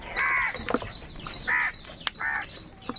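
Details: Angry crows contesting food utter three short, harsh caws in quick succession, about one every second, with light clicks and scattered noises between calls.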